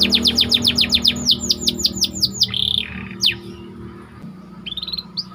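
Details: White canary's tight rolling song used as bait to train other canaries: a fast series of falling whistled notes about five per second, slower swoops, a short buzz, then brief upward whistles over low hum.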